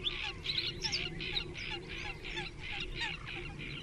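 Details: Nesting great crested grebes in a crowded colony of about twenty birds, 21 June 2024: a rapid series of harsh, buzzy barking notes, roughly three per second, with faint chirps from other birds behind.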